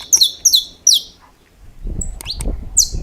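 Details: Saffron finch, a champion of the estalos song style, gives three sharp, high snapping notes that sweep downward, then falls quiet before low rumbling noise, a brief thin whistle and one more snapping note.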